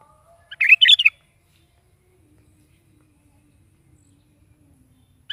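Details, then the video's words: Morning gacor song of a sooty-headed bulbul: one quick phrase of three or four rich, liquid, slurred notes, followed by several seconds of near silence. "SUARA BURUNG KUTILANG GACOR DI PAGI HARI"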